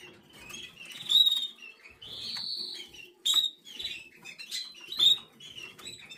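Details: Canary nestling, black red mosaic jaspe SD, 11 days old. It makes a rapid series of high squeaky whistles and one sustained raspy note, with irregular bursts and light rustle between.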